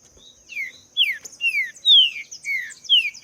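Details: Wild green-winged saltator song, a run of clear downslurred whistles repeated roughly every half second, with softer high twittering and a constant high-pitched hum behind.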